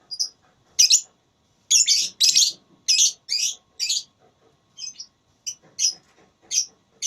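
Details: Lovebird in a singing contest (tarung suara), tagged as lively 'gacor' in the 'ngekek' style: about a dozen shrill, high chirping bursts in seven seconds, some short and clipped, others longer and buzzy, spaced irregularly with brief silences.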